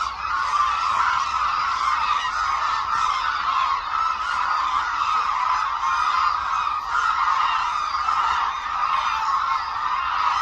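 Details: Hooded cranes massing at Suncheon Bay Wetland as migratory birds flock in, flying in an air-show-like display; a long, steady clamour of countless overlapping bugling calls, without gaps.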